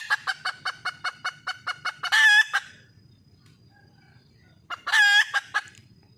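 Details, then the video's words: Female wild junglefowl calling for a male: a rapid series of about nine clucks runs into a long, loud note, then a silent pause before another long note and more clucks. "le bruit d'une poule sauvage,เสียงไก่ป่าร้องหาถู่หาตัวผู้,ສຽງໄກ່ປ່າຮ້ອງຫາຄູ່ຮັກ, poj qaib qus see"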